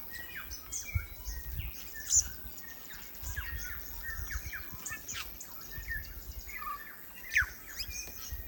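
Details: New Zealand bellbird (korimako), a native bird of New Zealand's lush forests, heard in a busy chorus: short whistled and chirped notes scattered through the clip, with a few sharper accents and low rumbling background noise.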